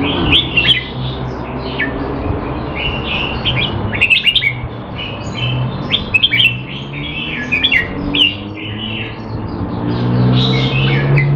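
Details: Red-whiskered bulbul in a cage in Singapore, kept sharp through training on 25 December 2020 though said to be not in form; a long run of lively, varied warbled whistles in dense bursts, with a low droning hum underneath.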